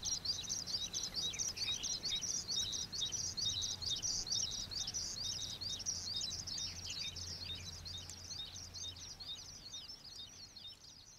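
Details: Oriental pratincoles calling at Xinyuan, Taiwan, a steady chorus of shrill, clipped chirps and trills packed closely together at a high pitch, fading slightly toward the end over a low background rumble.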